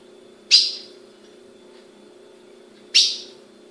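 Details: Captive female Ultramarine grosbeak from a Brazilian breeder, calling: two sharp, bright chip notes about two and a half seconds apart over a low, steady indoor hum.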